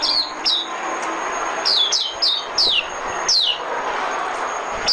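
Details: White-eye decoy song for trapping: spaced, clear high notes sweeping steeply downward, single and in quick pairs, against a steady broadband background noise.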